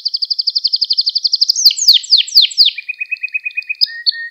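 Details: Gloster canary singing, used to stimulate and train other canaries: a fast even trill of about ten notes per second, loud descending slurred sweeps, then a lower rapid trill and short whistles.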